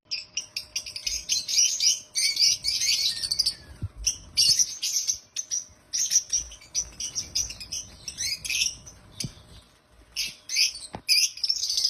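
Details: Several happy African lovebirds chatter loudly in dense bursts of shrill, high chirps and squeaks with only brief pauses, keeping up a constant noisy twitter.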